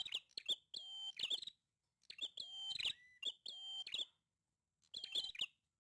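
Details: Vigorous prinia song: bursts of sharp chirps and buzzy notes, each with a sustained high whistled tone, given in several phrases with pauses of varying length.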